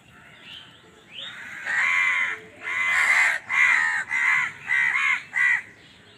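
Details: Crows fighting for food: a rising note, then about six loud, harsh, hoarse caws in quick succession, the later ones shorter and clipped, over a quiet background.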